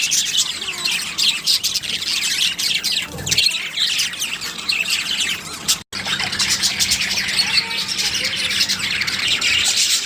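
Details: A male and female budgerigar pair in a breeding colony chatter continuously with dense, high warbling chirps and squawks, described as a love display.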